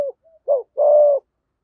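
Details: Single phrase from a decoy spotted dove in 'thổ' voice: a couple of faint short notes, one rounded coo, then a long, even, drawn-out coo lasting about half a second, with no other sound.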